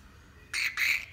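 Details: Pet musk lorikeet talking: after a quiet half second, two short harsh raspy bursts in quick succession, the second longer and slightly louder. Faint background hum.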